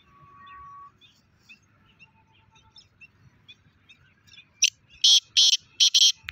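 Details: A black francolin gives a run of harsh, rasping notes in the second half, loud and broken into about five bursts, following quiet faint tones and scattered soft chirps.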